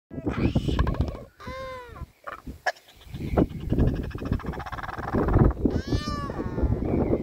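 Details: Northern Royal Albatrosses seeking breeding partners at Pukekura/Taiaroa Head, New Zealand, practising courtship displays such as skycalling: two nasal, braying calls that arch up and fall, about four seconds apart, over steady rumbling wind and surf.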